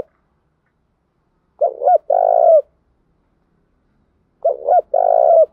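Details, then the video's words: A spotted dove gives two soft, hooting coo phrases about three seconds apart, each a short double note followed by a longer, drawn-out coo, with silence between. "tiếng cu gáy thúc bổi"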